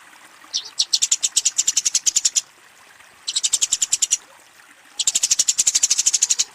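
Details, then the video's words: Eurasian tree sparrow in a fight, calling to a rival with three bursts of high, rapid ticking chirps, each lasting one to two seconds, separated by short pauses. "suara burung gereja tarung memanggil lawan"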